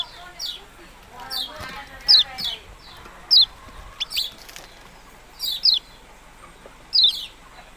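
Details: Yellow-bellied prinia giving high, quick downward-sliding notes, often in pairs, spaced irregularly over several seconds; softer chattering of other small birds early on.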